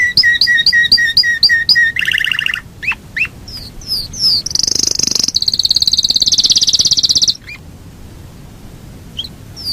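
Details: Yorkshire canary long rolling song: repeated paired chirps, a lower buzzy trill, scattered slurred notes, then a long very fast high rolling trill before the song stops.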